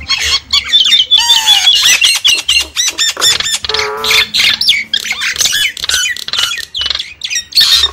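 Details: Wild Javan mynas are lured with this noisy mix of grating squawks, rattles and whistled slurs, including a low nasal honking burst in the middle.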